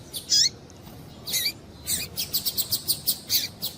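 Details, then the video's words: Female Double-collared seedeater calling to stimulate males: a few high, sharp calls with downward-sliding tails, then a fast run of about eight short, evenly spaced high chips. "Piado de Fêmea de Coleiro Para Esquentar Coleiro"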